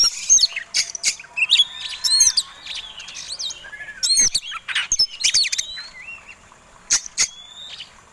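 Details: Oriental magpie-robin bred for song contests, in fighting display with tail flared, delivers a provoking song of separate loud bursts: hooked whistles, quick chirps and clicks, with brief pauses and a few long thin whistles.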